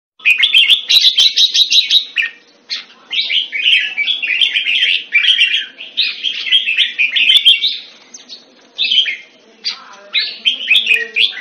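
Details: Caged red-whiskered bulbul kept Thai style in Singapore, recorded around 14 February 2018, singing bright, bubbling warbled phrases in quick bursts, with a rising fluty run near the start and short pauses between phrases, over a faint steady hum.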